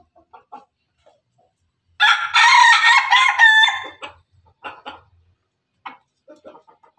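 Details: Pelung and Ketawa (laughing) chickens together: a loud harsh crow of about two seconds with stepped, broken segments, then short scattered clucks and soft calls trailing afterward.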